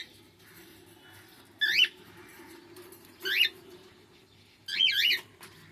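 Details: Three loud, piercing cockatiel chirps spaced about one and a half seconds apart, each a fast zigzag of rising and falling pitch, heard indoors against a soft, steady background hum.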